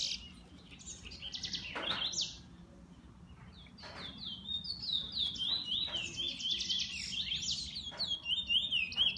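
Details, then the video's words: A kept bullfinch sings fast, high warbling phrases with rapid trilled zigzag notes, quieter in the first half and louder and denser toward the end, with faint background noise. "Bullfinch 2"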